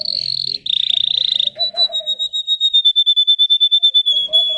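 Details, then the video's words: Song of a Russian canary bred for singing: two dense buzzy high trills, then a clear whistled tone broken into slower evenly spaced pulses, about five per second. "The singing of a canary. Melodies Canary Bird song"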